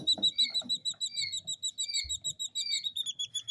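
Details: Two-day-old jungle bush quail chicks, three hatched birds in captivity in the UK, peeping rapidly in overlapping high whistles, with a lower second chick's slurred notes interleaved and light tapping sounds beneath.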